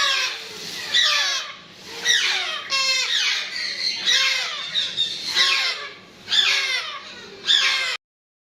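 Grey parrot chicks give harsh, rasping begging squawks with descending harmonic sweeps, repeated roughly every second in a steady, insistent chorus.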